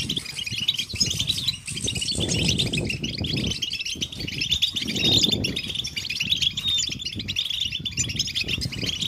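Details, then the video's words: European goldfinches singing and chattering together to encourage males to sing: dense high chirping chorus throughout, with strong low rumbling bursts underneath at intervals. "Beautiful Goldfinches Chattering & Singing Sound in Nature"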